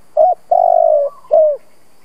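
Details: Spotted dove cooing, played to stimulate other doves to coo: a short low coo, a longer drawn-out steady coo with a slight tremble, then a final falling coo, all low and mellow in a quiet setting.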